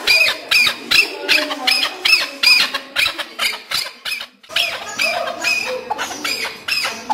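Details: Harsh, rapidly repeated chuck notes from a home-reared chukar partridge, about two and a half per second with a brief pause midway; the call attracts the opposite sex and is used by hunters as a lure.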